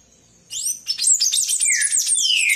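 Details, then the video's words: Palm tanager in full song: silence, then a sudden, excited stream of shrill, jumbled twitters ending in one lower downslurred note. "SANHAÇO-DO-COQUEIRO CANTANDO MUITO!"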